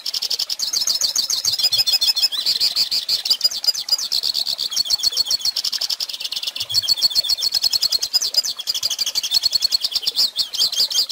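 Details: Goldfinch (pintassilgo) song for teaching young birds to sing: a fast, continuous stream of high twittering notes, trills and buzzy phrases with rapid rhythmic pulses throughout.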